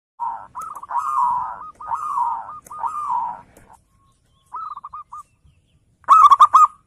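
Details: Local zebra dove singing in full voice to provoke rivals: several rolling, bubbly phrases of quick mid-pitched coo notes, some blurred and softer, then a louder, crisper staccato phrase at the end.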